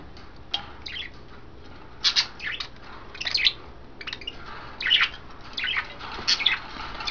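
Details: Five caged budgerigars, three females bathing in vegetables and a water dish: clusters of shrill chirps and raspy squawks arriving every second or so, with faint chatter underneath and a few sharp clicks.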